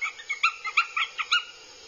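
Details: Northern goshawk chicks squabbling aggressively at a camera-watched nest in Abernethy, Scotland, 2022: seven short, sharp yelps in about one and a half seconds, then quiet.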